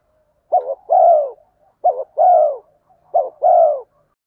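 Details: Decoy spotted dove giving urging 'thúc gù' coos to rouse other doves into calling: three quick phrases about 1.3 seconds apart, each a brief broken note then a drawn-out, rounded coo sliding downward.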